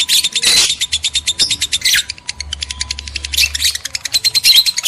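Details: Shrill, fast lovebird chirping aimed at stirring males and females to breed, steady ticking chirps punctuated by louder scratchy squeals.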